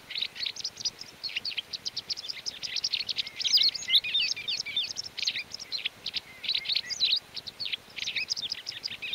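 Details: White wagtail (Motacilla alba) in the mountains of León, Spain, in May 2019, gives a fast, continuous twitter of sharp, high chirps, almost without pause, with faint background hiss.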